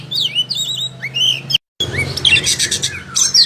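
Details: Oriental magpie-robin (kacer) singing in full voice as a master recording for training other birds; varied clear whistles, rising and falling sweeps and short chirps, a brief silent break midway, steady low hum beneath.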